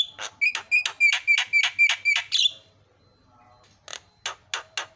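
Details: Asian pied starling song to rile other starlings: about ten quick harsh notes each carrying a bright whistled overtone, a short gap, then several dry clicking notes.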